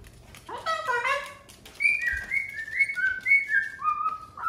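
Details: Indoor pet cockatoo on a TV stand, producing a set of clear whistled notes that slide downward, followed by a chain of level whistles stepping gradually lower.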